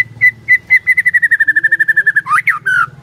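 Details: Song of the white-rumped shama as a lure for a silent bird: a long fast series of repeated clear whistled notes gradually dropping in pitch, closing with louder swooping slurs, against a low droning hum.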